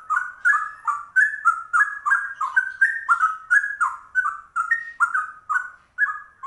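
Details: Yellow-vented bulbul (trucuk) with a cucak rowo-style ropel: a fast, even stream of rich slurred whistles, roughly three per second, alternating higher and lower tones, faint high ticking above.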